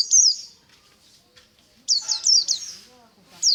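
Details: Morning white-eye in ngalas song: high, slurred, buzzy falling phrases at start and after a quiet gap, with soft low voices or sounds in the background.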